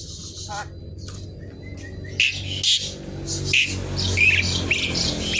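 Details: Javan pied starling in noisy song with isian while looking for an opponent: a few thin whistles and squeaks, then increasingly loud harsh squawking chatter.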